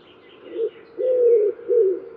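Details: Low cooing of a Common wood pigeon: a brief note, then a long drawn coo and a shorter one, with faint higher bird notes behind.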